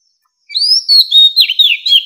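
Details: Mature wild Oriental magpie-robin song, used to lure wild birds: a rising whistled note followed by quick, fluty slurred phrases and brief chattering notes, bright and high, with a clean background.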